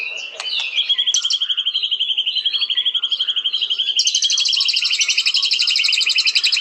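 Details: White-rumped shama: brief chips, then a long steady pulsing whistle, switching at four seconds to a higher, faster rattling trill that continues loudly.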